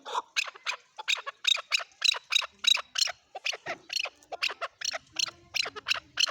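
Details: Male chukar voice: a fast run of sharp, high, squawky chuk syllables, more than three per second, bright and strident, in near silence.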